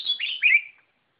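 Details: Short white-rumped shama phrase, a high whistled note slurring down into two quick warbled notes, then fading to silence.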